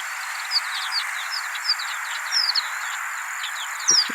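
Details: Horned Larks, which are noisy when moving in groups or walking around water tanks in winter grassland, give high, thin two-part tinkling calls. These are like a longspur's two-part call but with fewer harmonics. A steady hiss runs underneath, with a brief low thump near the end.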